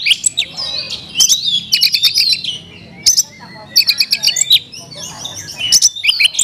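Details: Kacer, the Oriental magpie-robin, singing a varied isian song in bursts: sharp clicking rattles, squeaky whistles and buzzy slurs, broken by short pauses about every second, over a soft low background hum.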